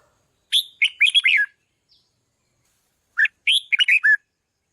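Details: Red-whiskered bulbul singing loudly to excite decoy birds: two matching phrases of quick, bubbly warbled notes with a falling ending, about two seconds apart, in a quiet setting.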